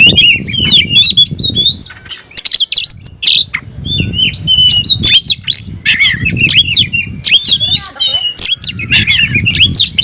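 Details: Oriental magpie-robin (kacer) singing loudly with tail spread, a song meant to raise its emotion and call a rival to fight; dense run of whistled, sliding and harsh notes high in pitch with brief pauses, low rumbling noise beneath.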